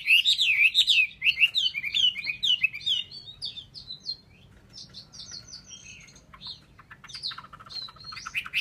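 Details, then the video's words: Caged Chinese hwamei in Vietnam pours out fast, rich whistled phrases with loops and slurs, then softer high twitters and a closing burst of quick rattled notes. "họa mi"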